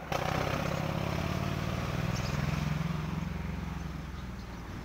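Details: A steady, rumbling motorcycle-like engine drones throughout, with no animal voices.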